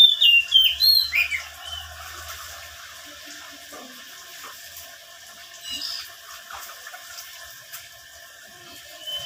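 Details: Oriental magpie-robin in full song, played to coax wild-caught birds into singing: a quick run of high, sweet whistled notes opens the recording before the song fades into quiet, scattered faint chips.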